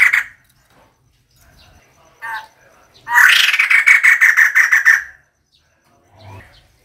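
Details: Female White-crested Laughingthrush calling, a recording used as a decoy call: a loud harsh chattering burst of about ten rapid pulses lasting nearly two seconds, with softer scattered notes before and after.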